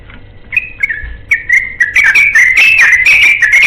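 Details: A yellow-vented bulbul seeking a companion builds its ropel song from spaced, slurred whistles into a quickening stream of bright, bubbly notes that keeps running to the end.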